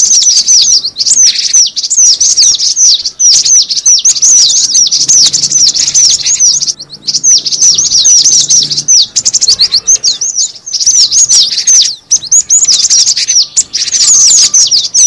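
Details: Cinereous tit call, used as a lure. A long, nearly nonstop stream of high, rapid chirps and falling notes, dense and restless, with only momentary dips and a faint low murmur partway through.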